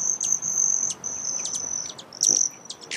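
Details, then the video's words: Broad-tailed hummingbird: a steady, very high, thin buzzing trill with short breaks, punctuated by sharp high chips and brief squeaky notes over a low hiss of background noise. "Broad Tailed Hummingbird Sound"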